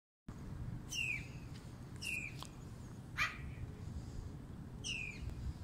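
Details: Black-billed magpie in Canada in winter gives four separate downslurred, squeaky calls about a second apart, one harsher and noisier, over a steady low rumble of wind or distant traffic.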